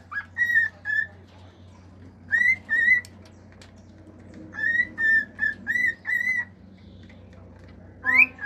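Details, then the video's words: Male house cockatiel giving its natural whistled song in short phrases: pairs and trios of clear, steady notes separated by silent gaps, ending on a sharply rising whistle. "CALOPSITA MACHO CANTANDO CANTOS NATURAIS, FIU-FIU, ESTALINHOS ENTRE OUTROS"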